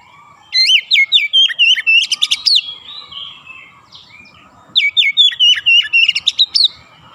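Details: Oriental magpie-robin singing densely in 'ngerol' and 'nembak' style. Two similar two-second phrases of rapid, sweeping whistles and sharp clicking notes are separated by a short, quieter gap with faint low rumble.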